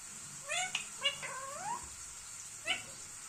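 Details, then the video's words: Indian ringneck parrot uttering a few nasal, rising calls, the longest sweeping upward in pitch, followed after a pause by one short sharp squeak, with steady background hiss. "Funny parrot sound video"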